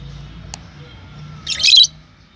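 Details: Lovebird making a single harsh, scratchy squawk lasting about a third of a second, preceded by a faint click and low steady background hum.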